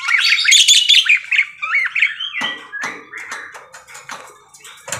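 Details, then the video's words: Parakeet singing loudly and close, a bright rush of scratchy warbles and looping whistled slides, then quieter sliding notes with sharp clicks spaced under a second apart, in otherwise quiet surroundings. "BURUNG PARKIT GACOR CANTIK"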